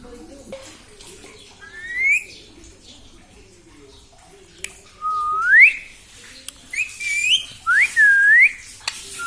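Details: Pet parrot, said to talk and say mummy papa, gives four clear whistled notes, each sliding upward, spaced about a second apart after a quiet start, with a faint click and a low background hum.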